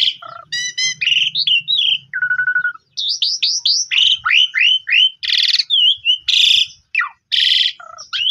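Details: Asian pied starling song aimed at getting sulking, stressed or silent birds singing. It runs continuously through stacked rapid chirps, a flat mid-pitched whistle, many short swept notes and repeated loud harsh rasps.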